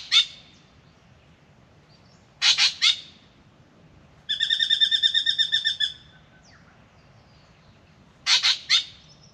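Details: Spangled drongo at an Australian backyard birdbath in the morning: harsh, explosive double and triple chattering bursts separated by gaps, and a rapid run of about fifteen buzzy harmonic notes in the middle.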